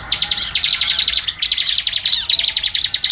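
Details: Tutoring recording of a bar-winged prinia (ciblek) in vigorous song: three seconds of quick, slightly uneven high chattering notes with small gaps between phrases.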